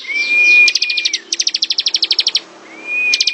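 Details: Bar-winged prinia giving ngebren song: a long steady whistle flows into a dense run of loud staccato chips, then a new upward-slurred whistle begins with more chips.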